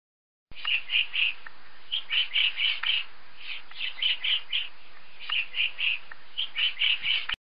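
A woodpecker gives sharp, high chattering notes in quick bursts of three or four, repeating steadily with brief gaps and no other sounds.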